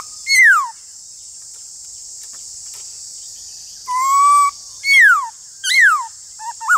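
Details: Black-throated laughingthrush in a singing duel with another laughingthrush: a lone falling whistle, a long pause, then a level whistle, two downslurred notes and a short rising note, over steady hiss.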